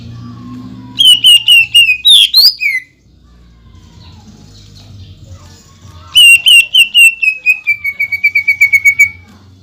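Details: Greater green leafbird singing in full voice, with imitated material and rapid-fire notes meant to provoke other leafbirds: a burst of eight sharp, repeated high notes, a quiet pause, then a longer fast run of about fourteen descending clipped notes.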